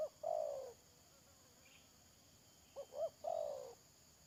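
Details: Spotted dove kept as a decoy for trapping, recorded 31 May 2022: low, mellow coos, a long drawn note falling at the end, then two quick short notes and another long falling coo, over a steady high-pitched hum.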